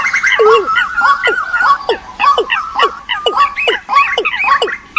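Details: Migration-season decoy recording of birds: quick downward-sweeping strokes and short wavering whistled notes tumble together in a dense, uneven chorus.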